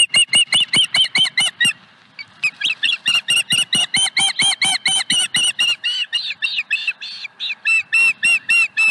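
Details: Osprey at the Dunrovin Ranch nest on 5 May 2020, with the fourth fish of the day brought to the nest: loud, sharp, whistled chirps repeated rapidly, about three per second, in long runs with one brief pause.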